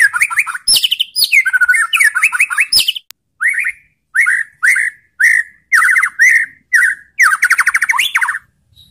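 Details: White-rumped shama song used as a lure to provoke other shamas to answer aggressively; loud clear whistled phrases with rapid trills and sharp high notes, then a string of repeated falling slurred whistles with short pauses, on a clean quiet background.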